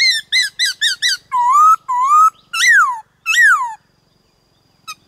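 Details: White-cheeked laughingthrush in varied-voice song meant to stir other birds: a run of five quick rising-falling harmonic notes, then long upslurred whistles and two loud arching slurs, ending in a short faint note after a pause.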